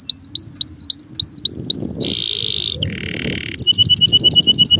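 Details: Male canary in song, opening with seven rising whistled upslurs, then a buzzy roll, a lower harsh rattling tour, and finally quick paired chipping notes.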